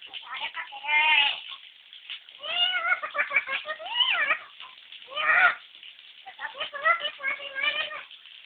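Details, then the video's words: Lory copying a crying baby, with repeated wavering, cat-like wails in several bursts: a rising cry, then a chain of bent, sobbing cries, a sharp loud squeal, and a final series of shorter whimpers. "Burung nuri suara bayi"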